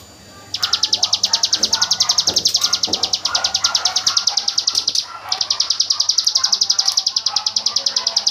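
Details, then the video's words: Rapid 'tembakan AK47' song of a hill prinia, intended as tutor material for white-rumped shamas: long rattling series of high sharp notes, briefly broken near five seconds, over faint lower chirps of other birds. "Suara burung ciblek gunung tembakan AK47"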